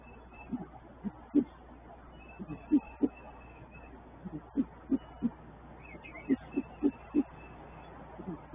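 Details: Great horned owls at a nest on 19 March 2024, the male bringing a small mouse to the female, who feeds a young owlet whose eyes are not yet open. Short, soft, low notes come in irregular runs and pairs over a steady background hum.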